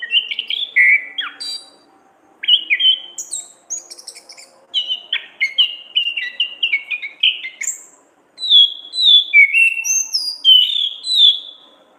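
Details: Long varied song of an orange-headed thrush in ngeplong gacor ngriwik style, recorded as masteran training: dense runs of fast whistled notes, slurs and scratchy high bursts in several phrases separated by brief pauses.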